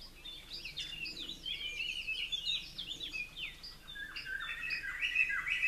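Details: Blue-crowned laughingthrushes in an aviary: two young fledged the day before, perched atop a conifer while parents feed them; soft chirps and short downslurred squeaky notes in quick irregular series, growing louder and harsher toward the end.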